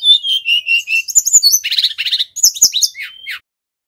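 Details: Male brown-chested jungle flycatcher from Bali in energetic song used for trapping and teaching: several repeated clear whistled notes, then buzzier chattering phrases and higher slurred whistles, ending in silence.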